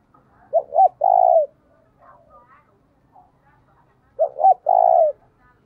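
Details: Spotted dove decoy calling to provoke rival doves; two cooing phrases about 3.6 seconds apart, two clipped notes then a long even coo, with soft background murmurs in between.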